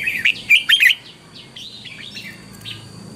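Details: Red-whiskered bulbul morning song meant as training decoy for caged birds; a quick loud burst of chirpy, warbled whistles in the first second, followed by softer, drawn-out slurred whistles.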